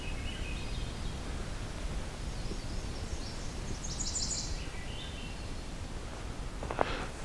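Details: A Swainson's thrush sings among redstarts at an old hunt camp in Bruce Peninsula National Park on a quiet mid-June 2022 evening, one of the day's last songs. It gives a faint, flute-like phrase spiralling upward to a high, airy finish, over low rumble and a handling knock.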